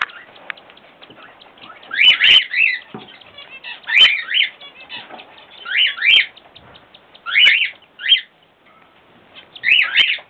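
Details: Cockatiel chicks give harsh, rasping begging calls in bursts about every two seconds while being fed by their grandparents.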